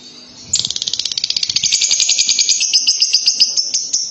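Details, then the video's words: Lovebird in long ngekek song: after a brief pause, a sustained high rattling trill of rapid, regular pulses runs without break for more than three and a half seconds, slightly rising in pitch toward the end. "Love bird ngekek panjang"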